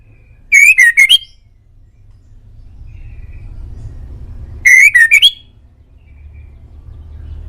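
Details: White-rumped shama, named as a male Indonesian bird on a master track for pet birds to answer, gives two identical loud whistled phrases about four seconds apart, each a rapid set of rising notes.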